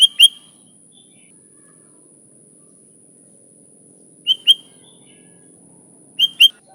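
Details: Sooty-headed bulbul for luring, recorded without fill-ins: three pairs of short bright chirps separated by long silences, the pairs about two seconds apart near the end.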